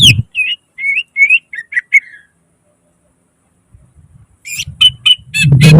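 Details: Greater green leafbird (cucak ijo) in full 'gacor nembak isian' singing style: a quick run of clear whistled, slurred notes, then a pause and a burst of sharp high chirps over low background music.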